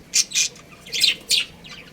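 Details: Pet budgerigars, a breeding pair kept at home, giving four loud, high, raspy chirps spaced roughly a quarter to half second apart, with a fainter chirp at the end.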